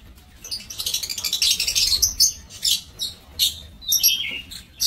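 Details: Aviary lovebirds, recorded 5 July 2024, build into rapid high-pitched chattering, then break into separate sharp squawks about half a second apart.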